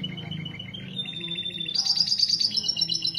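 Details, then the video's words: Canary mating song used as a breeding lure: repeated mid-pitched chirps at about four per second, a level whistle, then a louder high sparkling trill, with a low hum underneath. "Kicauan Kenari Kawin Untuk Pancingan Mengawinkan Kenari"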